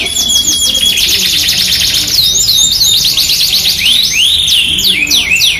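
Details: Masteran of a Yorkshire canary: a clear steady whistle opens into a fast buzzing roll, followed by looping chirped sweeps and arched whistled notes near the end.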